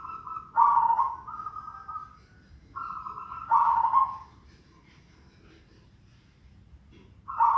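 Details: Zebra dove giving an unusual call: steady, slightly nasal tones, each phrase ending in a louder, lower, rougher note. Two phrases about two seconds apart, then a pause and a third beginning. Faint low background rumble.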